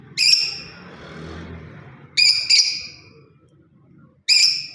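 A lovebird gives shrill, harsh chirps: a single note, a quick double, then another single, spaced about two seconds apart, with quiet low room noise between.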